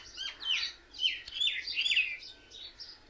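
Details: Mynas perched together in one tree give two dense bursts of shrill, slurred chirps and downward-sweeping squeaks, the sound of birds that seem to laugh at one another.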